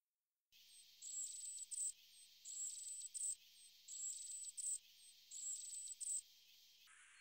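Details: European robin song, a single motif taken from one strophe of a song described as in F major; thin high notes with short glides and trills, the phrase repeated four times at about one-second intervals in an otherwise quiet recording.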